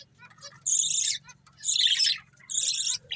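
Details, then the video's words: Budgerigar breeding pair gives three separate harsh, buzzy high chatter bursts, each about half a second long and roughly a second apart, with soft chirps between. "Cute Budgies Chirping Sounds | Love Birds Breeding Pair"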